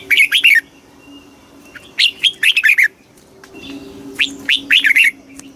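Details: Three lively phrases from a red-whiskered bulbul in fast kích bổi style, each a rapid string of four or five bright, warbled notes, with a faint, low hum behind.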